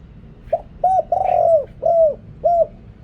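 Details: Spotted dove coo phrase used as a lure for wild birds: a short note, a clipped coo, then a long swelling coo followed by two steady hollow coos, all low and mellow.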